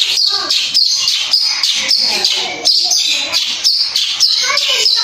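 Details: Lure song of a long-tailed shrike, full of imitated phrases, meant to provoke any shrike into replying: rapid, loud, scratchy high-pitched notes in quick bursts, interleaved with short descending whistles and chirps, delivered continuously.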